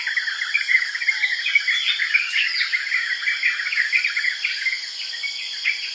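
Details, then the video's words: Energetic chirping of yellow-vented bulbul, short bright notes tumbling in fast, irregular bursts, about two per second, against a constant shrill background hum of insects. "Relax with Yellow-Vented Bulbul Calls"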